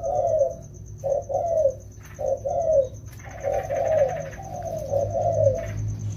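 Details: Two wild-caught spotted doves being trained during the rainy season; soft low cooing notes in short paired and run-together phrases, several per second, with a steady thin high whine throughout.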